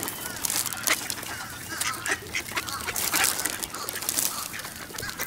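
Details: At the Newburgh waterfront on a 55 F November day in 2014, ducks being fed shredded wheat make a steady din of rough, overlapping quacks.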